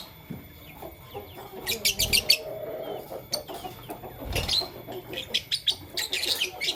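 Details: Lovebirds, Fischer's and masked, chirping in the morning: bursts of high, harsh, scratchy chirps in quick clusters, with quieter pauses between and faint low background rustling.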